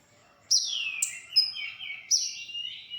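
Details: Olive-backed sunbird (konin) song used to tutor songbirds: long high notes sliding downward into sustained, wavering lower whistles, with a brief sharp note between.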